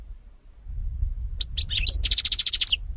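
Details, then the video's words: Lively European goldfinch phrase: a few scattered chirps, then a quick run of evenly spaced, ringing twittered notes lasting about a second, with faint low rumble beneath. "-ΚΑΡΔΕΡΙΝΑ-Carduelis carduelis (European Goldfinch 2018)"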